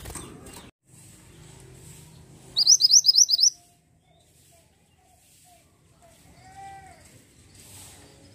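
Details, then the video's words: ['Pied bushchat giving a short, fast burst of about seven high, sharp whistles lasting under a second. Low rumbling noise surrounds it, with a brief lower whistle afterward.'] "BURUNG MANTENAN GUNUNG GACOR"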